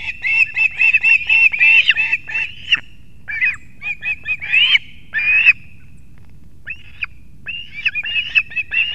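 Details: Latvian osprey nest in Kurzeme at 6:40 am on 3 September 2024, male bringing two fish to the young; rapid strident whistled chatter, a long rising squeal, then scattered yelps resuming.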